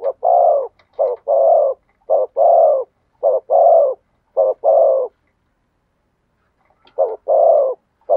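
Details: Rhythmic spotted dove song in the thổ sấm voice. Six husky coo phrases, each a clipped note running into a longer one, come at a steady pace, then a pause before another phrase. No other sounds are heard.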